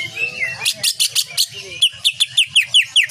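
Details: Greater green leafbird in full 'tembakan' shooting song, from a cage-bird training recording: a quick, rhythmic run of sharp, piercing notes, several sliding downward, about four per second, over a low background hum.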